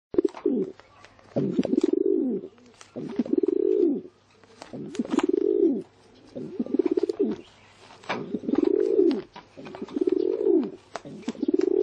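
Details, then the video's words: Pigeon cooing: repeated low throaty coos with a rolling, pulsed texture, each swelling then falling away, about one every one and a half seconds across the recording, with faint clicks and a steady low hum beneath. "เสียง นกพิราบ"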